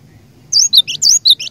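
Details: Brief burst from a singing cinereous tit used as a lure: four sharp high whistled notes, each sliding downward, in quick succession over one second.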